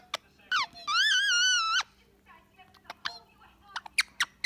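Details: Indian ringneck parakeet, a pet relaxing with its owner in the evening, chattering: a long wavering nasal squawk lasting nearly a second, then scattered short sharp clicks and chirps in a small quiet room.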